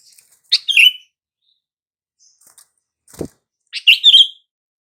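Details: Sooty-headed bulbul lure call for silent birds: a liquid warbled phrase, a faint twitter, a brief dull knock, then a longer rich bubbling phrase.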